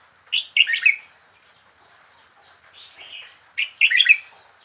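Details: Young wild red-whiskered bulbul, caged for four weeks, sings two short bubbly phrases of quick warbled notes, with softer lower twitters in between.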